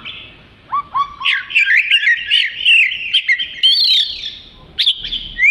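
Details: Oriental magpie-robin (kacer) in full, lively song meant as training material for other birds: two rising whistles, then a dense run of warbled, twisting notes and sharp upslurred whistles, ending with a clear high whistle.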